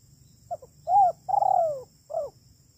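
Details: Spotted dove cooing, recorded as a trapping lure in the kuk 3 pattern: a faint soft double note, a strong arched coo, a long falling coo with a rough pulsing start, then a final shorter coo over a faint low hum.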